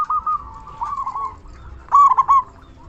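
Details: Local zebra dove used as a lure for other doves: a drawn-out series of soft, evenly pitched coos, a brief gap, then a loud burst of crisp trilled notes.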